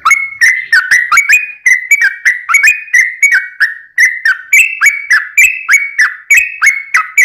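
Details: Sooty-headed bulbul delivering a long, fast warbling song to prompt nearby birds to answer: bubbly whistles with clicking starts, about three per second, slightly rising in pitch toward the end.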